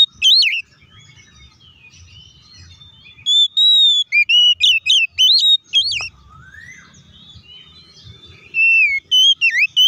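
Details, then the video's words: Oriental magpie-robin pouring out a loud 'ngeplong' song intended to provoke rival magpie-robins. An opening whistle, then a quiet gap, then a dense burst of bright, twisting whistles and sharp notes, then another whistled phrase near the end. "KACER GACOR NGEPLONG TARUNG KONSLET BUKA PARU❗PALING AMPUH BUAT PANCINGAN KACER AGAR CEPAT EMOSI!"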